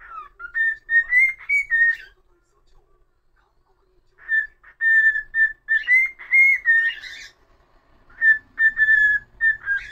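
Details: Pet cockatiel performing a solo whistled tune indoors: clear level notes strung in phrases, a slightly rising run, a pause of about two seconds, then more phrases with buzzy flourishes.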